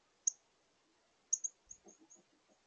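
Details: Male northern cardinal at a Minnesota bird feeder, 6 September 2022, giving multiple chirps that vary in speed and pitch before take-off. A sharp high chip is followed by a quick run of fading chips, with faint rustling underneath.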